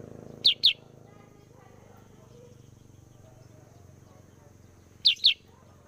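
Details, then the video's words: Sooty-headed bulbul, used to lure other birds, uttering two quick pairs of shrill, descending chip notes about four and a half seconds apart, with a steady low hum behind. "Kutilang sutra gacor cocok sebagai pemikat burung"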